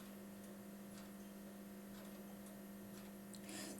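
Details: A quiet room with a steady electrical hum and faint ticking, ending in a sudden loud bump; no animal is heard.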